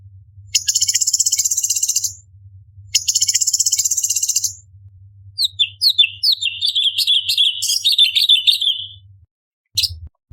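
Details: Orange-bellied leafbird, a competition cucak cungkok in 'tembakan' style. Two long, high buzzy rattles lead into a rapid warbled run of slurred whistled notes, ending with a brief chirp. A low hum is faint behind.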